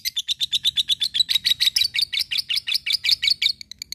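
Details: Lovebird in ngekek style, a sound for provoking rivals and preparing fighter birds: steady, rapid run of high, sharp, slightly ringing chirps, about three per second, slowing and fading at the end.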